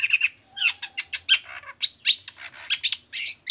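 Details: Long-tailed shrike song as a lure for reluctant shrikes: rapid harsh scratchy chatter with a few thin piercing whistles, notes crowded together without pause.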